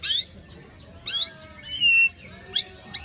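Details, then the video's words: Lure song of a white-rumped shama after moult, featuring sharp 'besetan' phrases: piercing downward-sweeping notes repeat roughly once a second, with one long steady whistle between them. "Pancingan murai batu macet bunyi paska mabung terbaru besetannya bikin ngilu!!"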